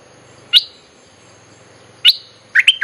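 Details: Bulbul song played as a lure to call wild birds: sharp high chirps at about half a second and two seconds, then a quick burst of two-note whistles near the end, over faint steady background hum.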